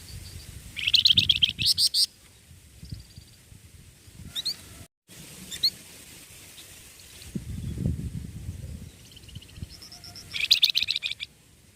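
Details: A singing young tutor songbird gives two loud bursts of rapid high twittering separated by scattered sharp chirps, with low rumbling background noise and a brief silent gap.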